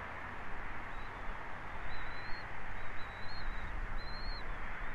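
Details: On 29 December 2023 at 14:31, a bald eagle at Captiva voices a series of four faint, high, slurred whistles, each rising then dropping, about one per second, set against a constant deep hum from a live camera.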